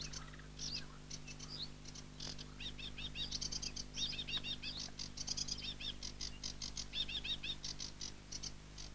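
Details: Aquatic warbler song: a fast run of dry, chattering high notes and short trilled phrases, with brief pauses between bursts, over a steady low hum.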